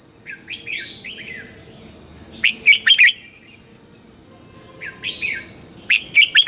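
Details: Morning song of a red-whiskered bulbul, used as lure song for training birds: soft slurred notes leading into loud, rapid chirping bursts, the pattern heard twice. A continuous high-pitched whine sits behind.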